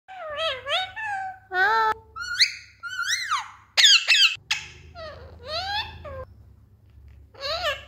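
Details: Pet parrot kept indoors, talkative, mimicking speech: short harmonic whistled and voiced phrases that rise and fall, including meow-like calls and a hello, over background music.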